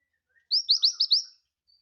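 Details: Scarlet minivet giving five quick, thin, high whistles, each sliding upward, in a brief energetic burst.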